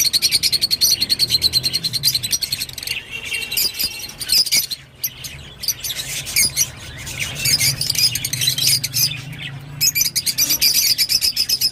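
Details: Rosy-faced lovebird singing: rapid, squeaky high chirps in fast regular runs, a quieter buzzy stretch in the middle, then another burst of quick repeated notes, with a steady low hum underneath.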